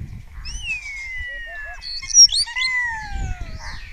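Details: Close-up spotless starling singing at a webcam in Cabañeros National Park, Spain; answering starlings nearby, and mimicry of orioles and kites in its repertoire. Long, clear, slowly descending whistles overlapping, with a few short mid-pitched notes.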